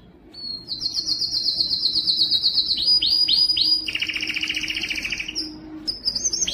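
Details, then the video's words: Canary, labelled as Belgian canary and Spanish timbrado song, sings a long, rapid high trill, breaks into three quick downward-sliding notes, then shifts to a lower rolling trill before rising again. "canto de canário belga - canto de canario timbrado español - canto do canário belga"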